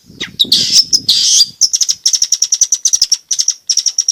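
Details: Energetic long-tailed shrike song, used to prompt quiet shrikes to sing and to train young birds. A harsh, buzzy opening gives way to fast, evenly spaced, piercing high chips repeated for several seconds.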